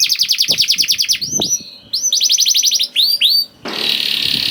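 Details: Juvenile canary's prompting song for canaries that rarely sing: quick high trill, a pause, then more trilled phrases and slurred whistles, ending in a burst of broad hissy noise.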